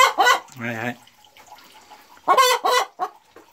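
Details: A Boris Brown hen, just out after laying her first-ever egg on 4 December 2016, cackles loudly with two sharp rising squawks, a low nasal drawn-out note, then a burst of harsh clucks, about four per second.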